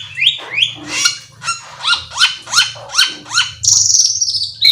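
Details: Black-winged myna song of slurred rising-and-falling notes given about twice a second, ending in a drawn-out buzzy rasp, over a faint low hum.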